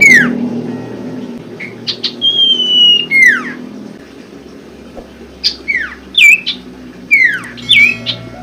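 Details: Common Iora lure song to stir birds that have stopped singing: sharp falling sweeps and a long level whistle, then a run of quick slurred whistles dipping and rising, with a low murmur in the background.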